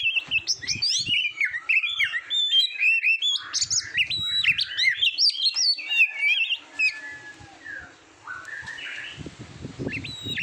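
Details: Oriental magpie-robin song used to train competition birds: a dense, energetic medley of high whistles, chips and level notes for about seven seconds, then a broad hissing noise with a few scattered whistles.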